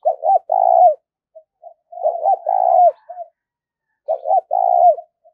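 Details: Spotted dove, a lure bird for trapping, giving repeated cooing phrases: short hooked notes then a longer throaty coo around 600–700, about every two seconds, quiet soft notes between, no other sounds.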